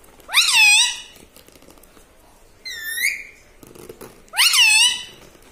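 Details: Three separate drawn-out nasal words from a pet talking parrot said to say 'Mitthu', 'papa' and 'mummy', each rising sharply then falling, spaced about two seconds apart indoors.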